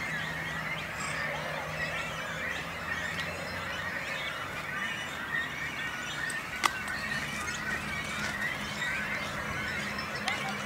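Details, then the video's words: Breeding colony of great cormorants with chicks on a little island in a lake in Langedijk, Netherlands; a busy chorus of raspy, overlapping calls and higher squeals, with occasional sharp clicks and a faint low drone. "Aalscholvers met jongen"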